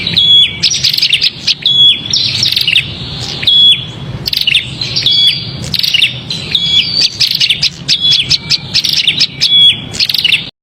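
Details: Agitated prinia chatter used to attract small birds: bursts of harsh, high chipping notes with clear thin whistles repeated roughly every second, arriving in loud waves about two seconds long before ending abruptly, over a faint low hum.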